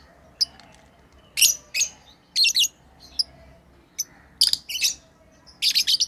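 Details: Pet lovebirds at play with shrill, high, harsh chirps in short bursts throughout, some doubled, separated by brief quiet gaps.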